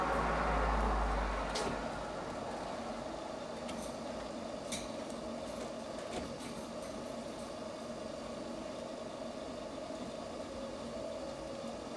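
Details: Steady vehicle engine rumble with a brief hiss like an air brake near the start, and no animal voice heard.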